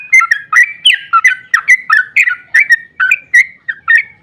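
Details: Sooty-headed bulbul gives an emotional long ropel song, played to goad other bulbuls into singing; continuous rapid string of loud, liquid whistled notes, each sliding up or down, roughly four every second.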